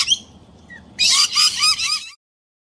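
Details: Nest-hollow dispute between Galahs and Rainbow Lorikeets; a brief faint squawk, then about a second of loud harsh screeching chatter that stops abruptly.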